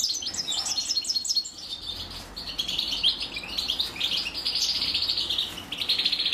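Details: A female European goldfinch feeds her chicks while they beg: fast, high twittered notes at the start, then a long, continuous, wheezy, buzzing chatter that rises and falls.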